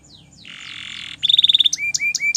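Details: Belgian canary singing in the morning: a thin falling whistle, a harsh buzzy band, then a rapid clear trill and a series of spaced rising chirps, with faint low background hum.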